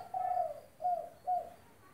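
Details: Spotted dove in active song, used to train a dove that has stopped calling: one long, smooth coo followed by two shorter, softer coos, then quiet.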